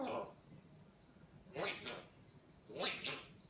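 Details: A hand-reared pet grey parrot talking in Spanish gives three short, speech-like bursts about a second apart, hoarse and breathy with word-like shapes, over a faint room hiss.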